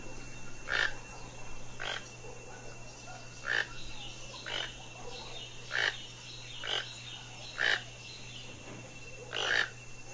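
A toucan gives eight harsh, frog-like croaks, one every one to two seconds, over a steady low hum and a faint high insect tone.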